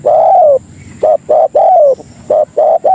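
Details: Spotted dove lure call used to attract and call other doves: loud, mellow cooing notes, a long falling coo followed by short clipped coos and another drawn-out falling coo, repeated in quick succession against a quiet background.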